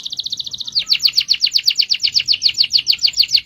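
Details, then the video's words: Canary kept as a cage bird delivering a long rolling song: a quick trill that shifts into steady, evenly spaced chipping notes repeated about four times per second, high and bright throughout. "MASTERAN KENARI NGEROL DURASI PANJANG"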